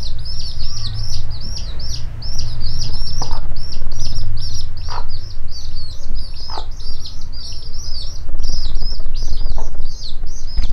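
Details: Hen with her chicks searching for food in a warehouse; dense, continuous high-pitched peeping from the chicks dominates, broken by a few scattered low clucks from the mother, over a loud low-frequency hum.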